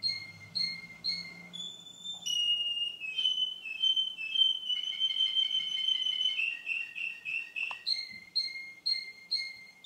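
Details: Same male Russian canary two months on: repeated short whistles, a long sustained rolling trill gradually dropping, then clear paired whistled pulses repeated about twice a second.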